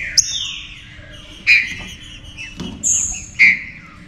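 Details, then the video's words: A green-winged saltator (Saltator similis) sings loud, clear whistled phrases, some sliding downward, in short bursts about every second or two, played to make other saltators fired up and active. "ESQUENTE SEU TRINCA FERRO"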